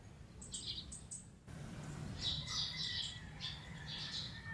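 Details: Lowland white-eye in natural habitat by Bued River, Northern Philippines, December; a few short high chirps, then a longer run of soft buzzy twittering notes, over a low background rumble.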